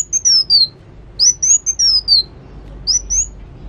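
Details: Sunbird singing actively: very high, thin whistled phrases that slide downward in pitch. Each phrase is a quick chain of three or four notes, repeated three times with pauses between.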